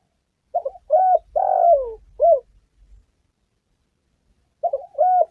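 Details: Spotted dove call aimed at trapping and hunting: a full phrase of stuttered note, level coo, long falling coo and short final coo, then a quiet gap and the start of the next phrase.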